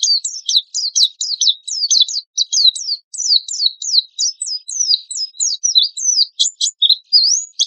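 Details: Oriental white-eye singing a 'tembakan kasar' lure song: a continuous stream of sharp, steeply falling high chirps, closely spaced, ending with a few upslurred whistles.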